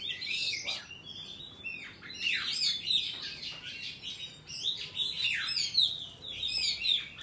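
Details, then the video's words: Oriental magpie-robin in wild forest voice, a recording used to train young birds' song: bursts of bright, warbled whistles with quick downslurs, coming in bouts about every second and a half. "Chòe than hót giọng rừng cực phê"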